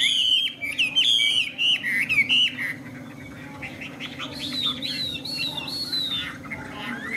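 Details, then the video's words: Displaying tame Chinese hwamei singing bright repeated whistled phrases, each dipping then rising, loud for the first three seconds, then a softer run of high rolling notes, with a faint steady hum underneath. "Họa mi xòe, Thuần đẹp mau mỏ hót hay"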